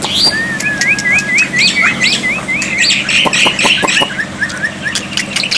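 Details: Black-winged myna tutor recording meant to make silent birds respond, alongside water therapy: a rhythmic run of short upslurred whistles, a level whistle, then scratchy chatter and more rising whistled notes over a low hum.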